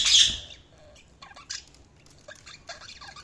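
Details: Budgerigar chirping: an opening loud harsh squawk, then soft scattered warbling chirps and chatter.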